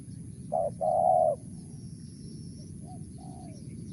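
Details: Spotted dove mersik call: a single pair of short and long hollow coos, then quiet with a few faint distant bird notes.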